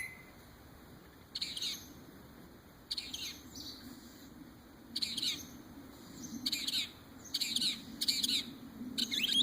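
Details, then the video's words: A bird that imitates many noises gives irregular bursts of harsh, scratchy chirps separated by pauses, growing busier toward the end. "Crazy bird makes every noise under the sun"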